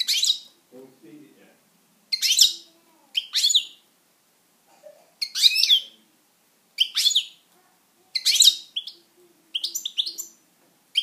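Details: Pet European goldfinch singing: bright high twittering phrases in bursts roughly every one to one and a half seconds, with quick rising and falling notes, separated by silence; faint low sounds between phrases.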